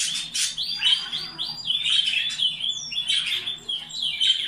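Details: Canary song for breeding stimulation: a continuous loud warbling stream of whistled and buzzy notes, rapid trills sliding up and down without pause.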